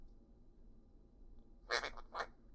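A pet monk parakeet speaks two quick, scratchy, word-like bursts after a quiet pause.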